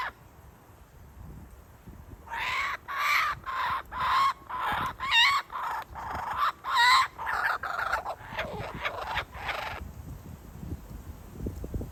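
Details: Adult male kookaburra teasing his chick with food before feeding it, possibly first offering it to his mate; a burst of loud, harsh cackling notes repeated rapidly for about seven seconds, rising and falling, then quiet background.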